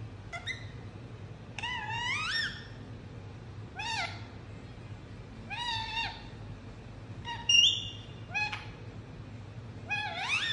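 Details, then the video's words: Indian ringneck parrot kept as a pet gives a varied run of chirps: short clicks, flat nasal notes and rising swoops, about eight calls over ten seconds, with one sharper whistled note near the middle. "Indianringneck Chirping Sound"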